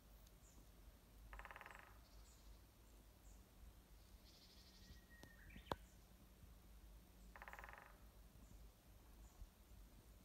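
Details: Japanese green woodpecker drumming, unseen, at a mountain trailhead of Haruna-Fuji, Japan: two rapid rattling drum rolls about six seconds apart, each under a second, with a fainter roll between and a sharp click, over steady low background noise.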